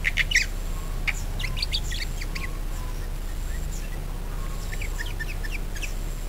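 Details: Budgerigars chirping as lure audio meant to set other birds singing: quick clusters of bright twittering notes, then a pause and another burst of chatter, over a constant low background hum.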